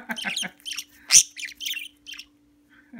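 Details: A playful pet parakeet, a female nearly four years old, plays with a finger while a jealous green-cheeked conure looks on: quick bursts of harsh, scratchy squawks and chatter with one sharp loud note, over a faint hum.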